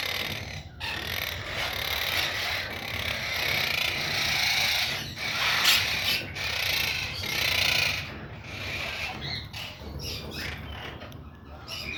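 Monk parakeets chatter in harsh, raspy squawks that run together almost without pause.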